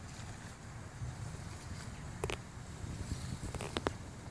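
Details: Low wind-like rumble broken by a few sharp knocks and clicks, and no animal voice.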